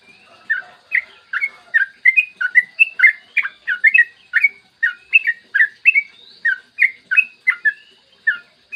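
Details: Morning 'ropel' song of a yellow-vented bulbul, a lure to get other bulbuls singing: crisp chirped notes, rising and falling, delivered in an even, quick stream of about three notes per second.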